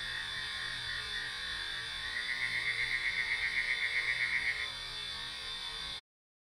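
Eurasian nightjar giving a short, fast, even run of dry pulsed notes for about two and a half seconds over a steady high background hiss.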